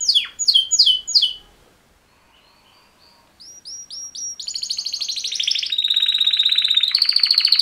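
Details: Mating-call song of two male canaries: three falling swoops, a quiet gap, rising whistled notes, then long rapid buzzy trills at steady pitch.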